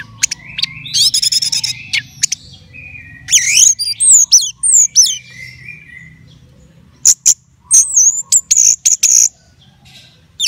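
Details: Contest-bound orange-headed thrush in a cage sings a rapid buzzy trill, then looping whistled slurs, a long pause, and a final cluster of high sharp chirps.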